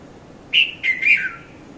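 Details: Dawn call of a red-vented bulbul (Konda Kurulla), Mount Lavinia, Sri Lanka, between 5:30 and 5:40 a.m., recorded with a Nikon Coolpix P510; a quick three-note phrase of bubbly chirps, the last note dropping lower, over light background noise.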